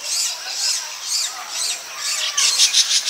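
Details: Baya weaver in rural Bengal, weaving its nest and courting a female: swelling bursts of wheezy high chatter, ending in a fast, rattling series of sharp squeaky pulses.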